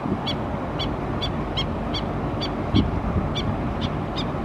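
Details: Alert call of a mother Black-necked stilt warning her chicks at Oso Creek, Laguna Niguel, California, April 29, 2017: evenly spaced, piercing single yips roughly two per second, with steady low background noise throughout.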